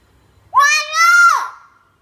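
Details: Common hill myna imitating human speech during training, one prolonged vowel-like word, even in pitch, ending with a falling slur, faint low rumble beforehand.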